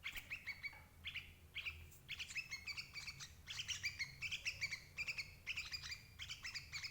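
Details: Chattering notes of a sooty-headed bulbul, played to draw in adult birds for capture: rapid clusters of sharp, ringing chirps that grow denser midway, over a faint low rumble.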